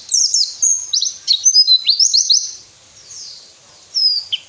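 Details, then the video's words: White-eye song used to get lazy captive birds singing: a lively run of high, clear, slurred and ladder-like trilled notes for about three seconds, a brief lull, then a last falling phrase. "masteran burung pleci males bunyi"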